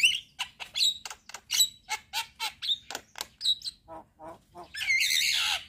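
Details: Head-bobbing Javan myna singing in full, fill-rich style: a chattering string of short clicks and squeaky chirps at a quick pace, ending in a long, loud, harsh scratchy burst.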